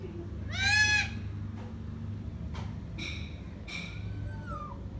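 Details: Green parrot indoors making a loud harmonic squawk that bends upward. Scattered shorter nasal notes and a gliding tone follow over constant low background hum.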